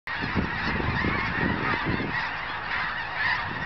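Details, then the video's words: Huge flock of migrating geese near Crestline, Kansas, by an old cemetery on 14 January 2011: a dense, continuous chorus of overlapping nasal honks with no gaps, plus bursts of low rumbling noise. "Mass Geese Migration"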